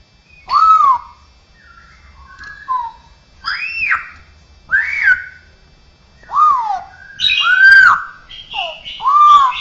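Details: Straw-headed bulbul, a bird said to mimic other birds, cats and humans, delivering a varied run of loud whistled phrases: arched slurs, short falling notes and rich warbled bursts, repeated in uneven bouts over ten seconds, with low background hum.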